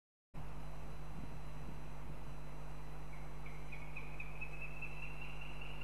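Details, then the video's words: Female northern goshawk in Riga, Latvia, on a live nest stream, demanding food from her partner: a run of quick, thin, repeated notes that climb slightly in pitch over about three seconds, above a constant low hum. "Female H21 demands her partner"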